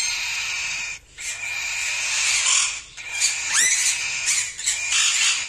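A young whiteface cockatiel gives a harsh, raspy, nearly continuous hissing call broken by brief pauses.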